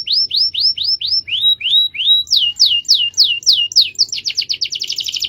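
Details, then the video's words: Canary singing a long rolling master song: series of clear falling whistled notes repeated about five times per second, shifting pitch between phrases, then breaking into a fast buzzy trill. "MASTERAN KENARI NGEROL DURASI PANJANG"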